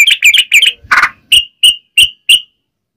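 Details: Yellow-vented bulbul in lively voice, calling its companions: a quick run of bright chirps, one harsher burst, then four clear, evenly spaced high notes with short gaps between them.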